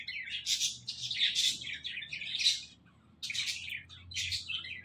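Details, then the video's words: Talking parrot chattering in dense, scratchy high-pitched bursts about one per second, with a brief pause in the middle. "Talking Parrot"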